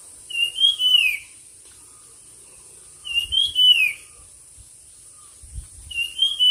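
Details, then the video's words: Bird in a song competition giving a bright whistled phrase that climbs and then falls away, repeated three times about every two and a half seconds, with faint low thumps and a constant high hiss. "suab noog quaj dib tuaj zoo 100% chim hót đấu"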